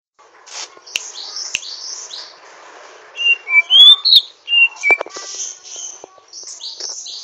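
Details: A greater green leafbird (Chloropsis sonnerati) gives rough, rapid twittering with bright whistled slurs and sharp chips, uneven and halting as it practises its song.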